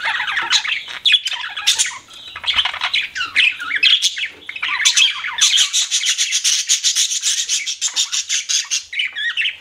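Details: Pet budgerigars chatter in twisting, squeaky warbles, then shift into a rapid run of evenly repeated clicking chirps over the last few seconds.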